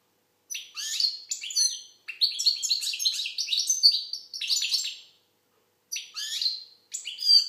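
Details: Song of an Algerian goldfinch: a short opening phrase, then a long run of liquid twitters and buzzy trills, a clear pause, and two brief closing bursts of chirps.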